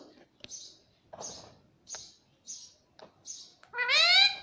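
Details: Pet talking Indian ringneck parakeet indoors: a string of six short, high, hissy chirps about half a second apart, with small clicks between them, ending in a drawn-out voice-like syllable with a rising, harmonic-rich tone.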